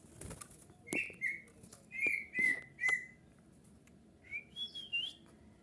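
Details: Bulbul song used to lure other bulbuls into answering: a run of five clear whistled notes near one pitch, then a higher, quicker phrase of rising and falling whistles.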